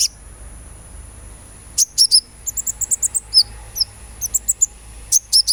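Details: Sunbird recording played as therapy to encourage singing: lively, irregular twittering of many short, very high chips and squeaky notes, some in quick pairs and runs, over a steady high tone.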